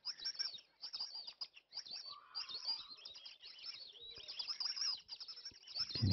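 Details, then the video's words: White-faced whistling ducks calling in the background of a live safari camera in Africa: a dense chorus of high, clear whistled notes repeated almost without pause, with a brief lower note near the end. "You can hear those whistling ducks, white-faced whistling ducks in the background."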